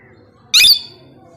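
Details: A single shrill, harsh squawk from a plum-headed parakeet, abrupt and piercing, lasting about a quarter second before dying away, with a faint low hum behind it.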